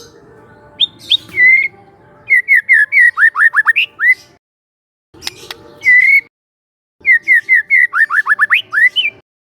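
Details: Relaxed lure song of a young wild White-rumped shama from the forest: scattered whistled notes lead into rapid series of sharp downslurred whistles, separated by short silences, then repeated again.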